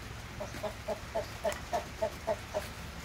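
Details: Splash Wyandotte breeding hens clucking in a steady, even series of short, low notes, roughly four per second, over faint background hum.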